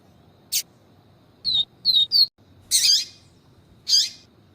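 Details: Male Double-collared seedeater with viviti song and a female calling to excite him: a short sharp note, three quick high whistles, then two harsher buzzy notes about a second apart.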